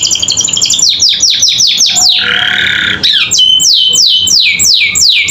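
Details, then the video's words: Canary in energetic tutor song for caged birds: fast falling sweeps, a lower buzzy rolling trill lasting about a second, then slower, evenly spaced long descending whistles. "Masteran Kenari Gacor Isian Cocok Buat Paud Belajar Bunyi"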